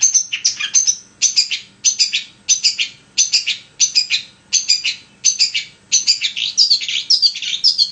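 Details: Long-tailed shrike in continuous song, played to provoke a reluctant shrike into singing: repeated bursts of high scratchy chatter and sharp whistles, about a second apart, in energetic, uneven phrases.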